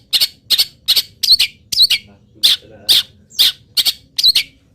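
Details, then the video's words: Long-tailed shrike, local bird, singing through its moult with a song full of wild bird imitations; a regular string of scratchy, grating notes, about two per second, some ending in a short whistle. "CENDET GACOR FULL ISIAM BURUNG LIAR"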